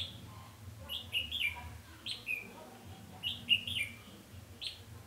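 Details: Decoy red-whiskered bulbul singing to draw wild birds during trapping, 20 November 2015: a string of loud, bouncy whistled phrases, each a quick rise and fall, given about once a second over faint low rumble.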